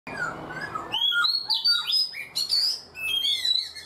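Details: Black-throated laughingthrush kept in a cage for four months, singing a varied run of clear whistled notes, some sliding and some clipped, in quick succession, after a brief low rustling noise at the start.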